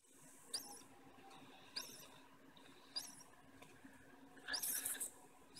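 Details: A 4-day-old budgerigar chick calls for its mother, which feeds and broods it, with thin, squeaky peeps about once every 1.2 seconds, ending in a quick, scratchy burst of several calls; quiet, hissy background.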